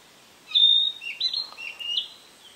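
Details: Narcissus flycatcher, filmed with an Olympus PEN mini E-PM2, gives a single phrase: a sustained pure high whistle followed by a few lower warbled, slurred notes, clean and prominent against quiet background.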